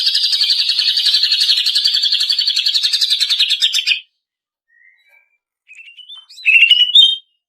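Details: Female greater green leafbird, lure audio for training cage birds: a steady rattling trill lasting about four seconds, a pause, then soft whistled notes and a short bright trill.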